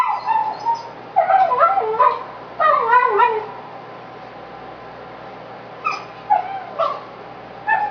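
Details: Frustrated male pet parrot voicing loud, crabby complaints while chewing a bully stick too tough to eat quickly, on a hot, humid September 2011 evening: rapid runs of harsh, wavering harmonic squawks in clusters, pausing briefly, then sharper single squawks.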